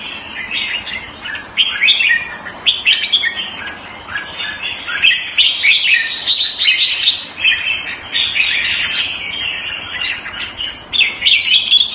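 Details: A red-whiskered bulbul kept caged Thai style in Singapore, February 2018, delivers long, nearly continuous bright warbling with quick slurred notes and clicks, with barely any pause across twelve seconds.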